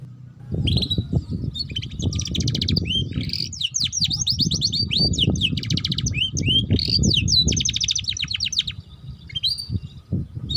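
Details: Canary song played as a lure to get young canaries singing and learning the ngeriwik style: fast trilled rolls and rapid repeated chirps, high and busy, over steady low rumbling background noise.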